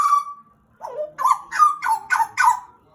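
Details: A caged pet Pied butcherbird sings a sustained clear whistle, then a string of five or six rich, fluted notes that dip and rise in quick succession.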